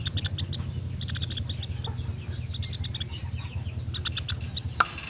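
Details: Pelatuk beras woodpecker calling clearly for a songbird tutor recording: rapid strings of high, dry chip notes in bursts, with brief gaps and one louder click near the end, over a low background hum.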